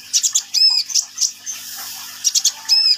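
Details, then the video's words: Sunbird singing vigorously, giving quick high chirps, a few thin whistled notes and harsher squeaky sounds. "KICAUAN BURUNG KOLIBRI NINJA GACOR"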